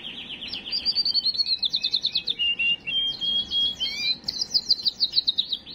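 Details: Canary song aimed at preparing females for breeding: a steady sequence of quick trilled syllables and short descending whistles, changing pattern every second, bright and high throughout.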